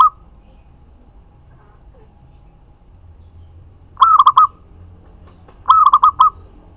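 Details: Zebra dove, local bird, giving lure song to make other doves answer: a cut-off coo at the start, then silence, then two rolling cooing phrases under two seconds apart near the end.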